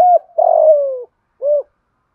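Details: Spotted dove giving a provoking "thúc gù" coo in the "giọng thổ" voice: a short note, then a long mellow coo falling slowly in pitch, followed after a pause by one short rounded note.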